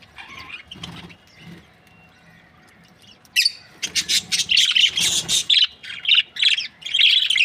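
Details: Breeding pairs of budgerigars, an Australian parrot, chirping: soft scratchy chirps for about three seconds, then loud, dense bursts of harsh squawks and high chirps tumbling rapidly over one another until the end.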